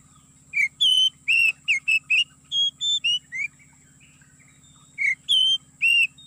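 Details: Oriental magpie-robin lure song played from MP3 to trap birds in an oil palm plantation: clear whistled notes, some rising and some falling, given in short bursts with gaps, over a steady low hum.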